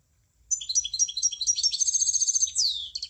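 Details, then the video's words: A continuous high, tinkling munia song of quick repeated chips that runs into a sharp whistled trill. It ends with a downward slur and more chips. Faint low rumble underneath. "Kicauan Burung Emprit"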